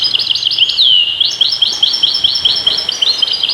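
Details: Bright, fast European goldfinch song: a rapid tinkling series of short chirps, with a long downward-sweeping note early on, set against a steady low background hiss.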